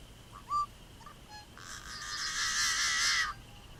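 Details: Yellow-headed Blackbird calling northwest of Regina, Saskatchewan, Canada, on May 6, 2014: a few short clipped notes, then one long, harsh, buzzy rasp lasting nearly two seconds, over a faint steady high tone in the background.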